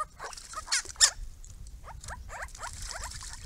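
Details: A group of Grey-crowned babblers at a pond gives rapid chattering, starting with a few loud sharp notes and then a run of quick, falling chirps.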